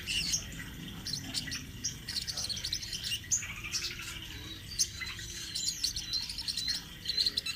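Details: Speckled crimson sunbird singing a rolling song meant as a master recording for training birds; thin, very high chirps and short trills come in quick bursts, with a steady low hum underneath.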